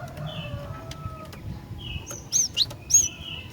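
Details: Female cinereous tit calling toward males: faint thin whistles first, then three loud, sharp high chirps close together near the end, over quiet low noise.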